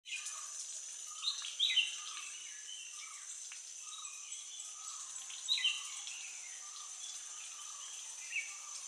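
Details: Bulbuls in the Western Ghats: two short bright, bubbly phrases about four seconds apart, over a steady high insect drone and soft lower bird notes.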